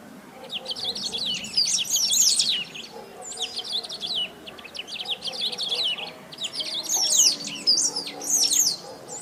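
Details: Sabiá-do-banhado, the great pampa-finch of Brazil, singing loud and nonstop. Dense bursts of high, scratchy chirps and quick slurred notes come in clustered phrases with short pauses between them. A faint low hum sits underneath.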